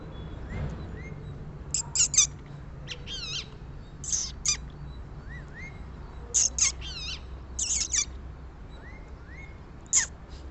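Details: Rose-ringed parakeet calling with harsh, high screeches in irregular pairs and clusters, interleaved with other birds' soft rising whistles and wavy trilled notes.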